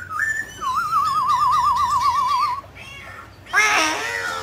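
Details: Mutant grey laughingthrush in full song while dancing: a brief rising note, then a long quavering whistle with fast vibrato, a pause, and a harsh, noisy burst of jumbled notes.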